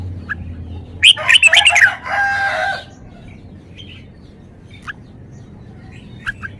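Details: Red-whiskered bulbul displaying its song repertoire: a lively burst of rolling, descending whistled notes trailing into a buzzy rattle, then scattered short chirps from other birds.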